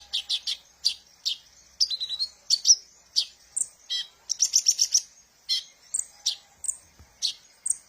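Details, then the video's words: Sunbird song used as a lure for training young birds: rapid high, sharp chirps and short twittering bursts, some rising or falling, in quick irregular runs with brief pauses. "suara burung Kolibri ninja"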